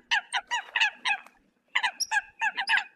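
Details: Eurasian coots calling the flock give two quick bursts of short, honking, nasal notes, separated by a second of near silence.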